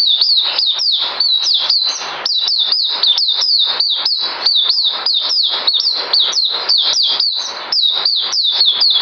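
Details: A white-eye recorded on 9 December 2018 sings a long, rapid series of thin, high slurred notes, each rising then falling, delivered at several per second with only brief dips in loudness.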